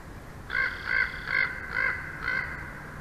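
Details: Bald eagle at a nest in Big Bear Valley, recorded on 06/04/2024: five harsh, arched notes with a rich ring, spaced about every 0.4 seconds. Faint clicks and a low steady hum lie beneath.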